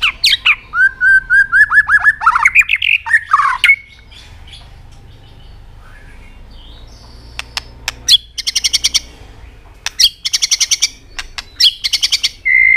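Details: White-rumped shama singing continuously to stimulate other birds to sing: rapid fluted whistles and rising slurs, a quieter gap, then bursts of sharp, buzzy clicking notes repeated in quick succession.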